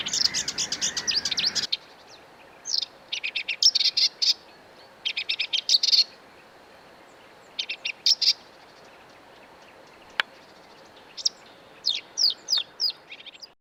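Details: Marsh Warbler (Acrocephalus palustris), a small migratory songbird of reedbeds and wetlands, singing in short, fast bursts of chattering, trilled and sharply rising high-pitched notes, with brief pauses between phrases.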